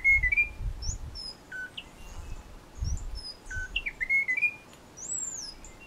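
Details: Endemic Munchique wood wren in Tatamá Natural Park, Colombia, giving scattered pure whistled phrases, some rising and falling, mixed with high thin notes and low rumbling background noise.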